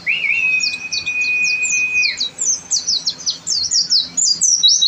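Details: A long, steady, clear whistle held for about two seconds, then a rapid run of high, sharp chirps and twitters from an oriental white-eye singing in energetic 'gacor' tutor style.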